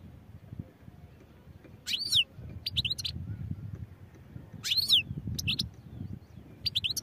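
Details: European goldfinch song in clipped bursts: a loud downward-slurred whistle followed by rapid twittery notes, repeated about every three seconds. A low murmur of background noise underneath.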